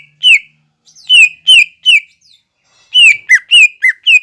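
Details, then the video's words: Cucak ijo (green leafbird) masteran with described imitations of fighting sparrow, lovebird and kolibri: bright falling whistled chirps, a few spaced singly, then a faster cluster of five. "MASTERAN CUCAK IJO GACOR BONGKAR ISIAN GEREJA TARUNG,LOVEBIRD,KOLIBRI"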